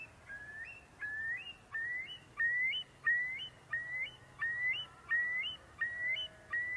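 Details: Eurasian curlew in Britain in spring breeding season, on meadows and moors, giving a run of clear, rising whistled notes, about three every two seconds, each sliding upward and ending in a brief flourish.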